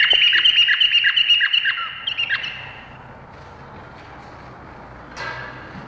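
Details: Indonesian bulbul pouring out a quick run of twittering, slurred notes for about two seconds. The song then fades into quiet background hiss, and one faint later note follows.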